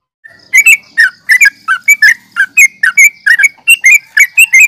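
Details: Fighting call of a yellow-vented bulbul, meant to provoke rivals into answering: after a short quiet start, a quick run of bubbly, slurred chirps follows, packed closely together, with a thin constant high tone behind.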